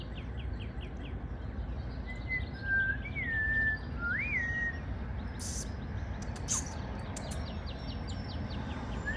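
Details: Morning song from a bird building its spring nest: clear whistled notes, some sliding upward then levelling off, with faint high ticking notes and a steady low background rumble.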